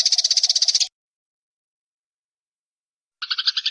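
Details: Fighting Eurasian tree sparrows, tutor sound for songbirds: one second of fast rattling chatter, a long silence, then a shorter rattle.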